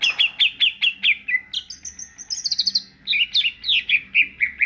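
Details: Greater green leafbird delivering ngentrok song, a continuous fast chain of bright, high chirped notes and short trills, loud and evenly repeated with hardly a pause.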